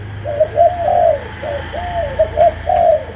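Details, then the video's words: Malaysian-type spotted dove giving a chiêu gù, sấm đồng cooing song. Soft, hollow coo notes come in a pattern of short, rising and falling phrases. A faint low hum runs underneath. "Cu Gáy Malaysia, Chiêu Gù. Sấm Đồng"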